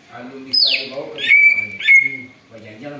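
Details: Noisy greater green leafbird copying an eagle, a recording used to lure birds: one high whistle drops steeply, then two long, steady, piercing whistles follow over a soft, low, humming background.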